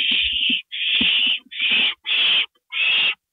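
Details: Owl at a nest at 2:05 AM on April 27, 2012, as a gopher is delivered as prey: five harsh, hissing screeches, each about half a second, broken by short gaps, with faint low thumps underneath.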